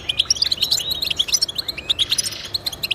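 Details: Goldfinch song (European goldfinch) played to inspire pet birds to sing: quick bursts of bright, tinkling notes and sharp chirps in tight succession, steady and lively for three seconds.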